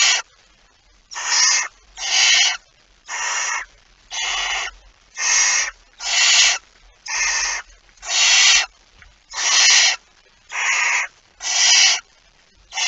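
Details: Barn owl at the nest with prey on 23 September 2019: a long series of about twelve rasping hisses, each around half a second, given at a fairly steady pace of roughly one per second.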